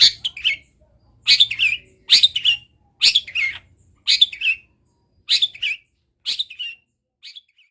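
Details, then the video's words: Long-tailed shrike in chatty song full of wild-bird mimicry: harsh, rasping double notes, each sharp burst followed by a lower scratchy tail, repeated about once a second and fading toward the end. "CENDET GACOR ISIAN MELIMPAH - MASTERAN CENDET GACOR FULL ISIAN BURUNG LIAR"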